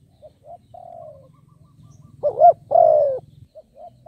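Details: Decoy spotted dove cooing to draw in wild birds; a soft clipped phrase with a long falling coo opens, then a loud double-noted coo followed by a long mellow note, with a constant low hum beneath.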